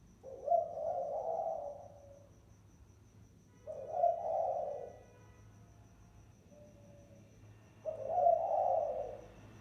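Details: Spotted dove giving a lure call used as a decoy. Low, soft cooing phrases sound about every four seconds, separated by quiet gaps, with a faint steady high hiss in the background.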